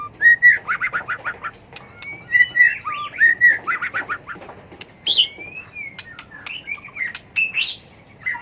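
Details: White-rumped shama performing fighting song to train birds in combative singing: rapid pulsed chattering notes, pure held whistles, a long gliding whistle, then scattered sharp high calls and loud phrases.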